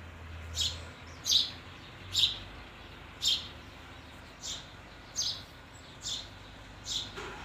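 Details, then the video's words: A sparrow gives short, bright chirps high in pitch, about one every second at an uneven pace, over a faint low rumble. "Bird Sparrow Voice"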